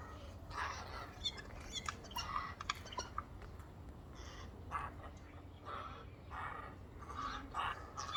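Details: Four Eurasian jays calling together as a noisy chorus on a windowsill, making strange noises: harsh, rasping bursts repeated irregularly, with a steady low hum underneath.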